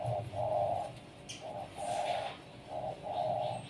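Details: Zebra dove (perkutut), a kept bird set out to sunbathe in the morning, gives soft, mellow rolling coos in short repeated bursts, about six in under four seconds, with faint high chirps of other birds in the background.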